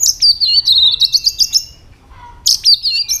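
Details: White-rumped shama giving its fighting song: a rapid run of bright, high whistled and chirping notes, a brief pause, then another burst of sharp, high whistles.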